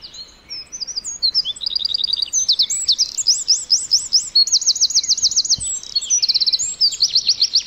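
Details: Eurasian wren singing a long, loud, high-pitched song of rapid rattling trills and sharp twittering notes, with several fast trilled bursts run together over about seven seconds; quiet background.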